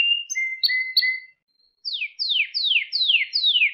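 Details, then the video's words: Pet canary song from a recording meant to train young canaries to sing: short flat whistled notes, a brief pause, then five clear whistles sweeping steeply downward, repeated about every third of a second. "Süper Kanarya Sesi | Orjinal Kanarya Sesi İle Kuşunuzun Ötüş Eğitimi"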